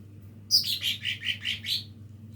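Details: Practising lesser green leafbird: a sharp high opening note, then about six rhythmic chirps, falling at first and then holding level. A faint low hum lies underneath.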